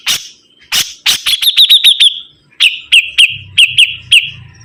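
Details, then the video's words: Sibuntung bird in full voice, giving a string of bright, sharp, high chips about five per second. Brief noisy bursts open the phrases, and soft low rumbles sound near the end. "BURUNG SIBUNTUNG GACOR"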